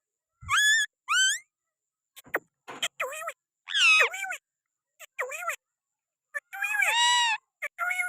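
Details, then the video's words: Pakistani green parrot perched on a hand, giving scattered short calls: sharp rising squawks, bent whistled notes and a harsh, buzzy squawk, with silent gaps between. "Pakistani Green parrot 🦜🦜🦜 at my hand with beautiful voice"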